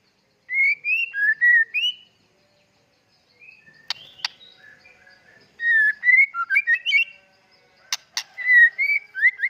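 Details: White-rumped shama, dokor type, in full song: clear whistled phrases of rising and falling notes in rapid bursts, separated by short gaps, with a few sharp clicks between phrases.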